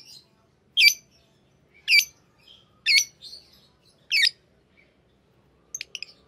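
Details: Fischer's lovebirds, a green pair, repeating short shrill chirps roughly once a second, ending with a few faint clicks over a low room hum.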